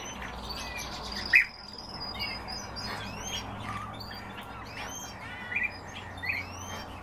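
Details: Kept European bee-eaters giving short rolling calls and thin whistled notes, with louder abrupt chirps at about one and a half, five and a half and six seconds amid other faint bird chatter.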